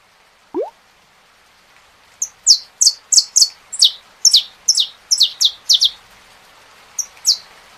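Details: Saffron finch singing with rain sound: after one low rising note, a run of about twelve sharp, high, downward-slurred chips, each led by a tiny grace note, then two more chips after a pause, over steady hiss.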